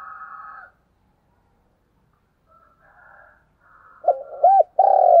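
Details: Lure spotted dove calling to draw in wild doves. After a faint, buzzy rasping note and soft murmurs, a deep hooting coo sequence begins near the end: two arched notes, then a longer coo that is cut off.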